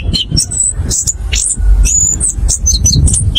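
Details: Orange-headed thrush lure song in ngerol ngeplong style: rapid, high, varied whistles and sharp slurred notes, closely packed with barely any gaps, over a low background hum.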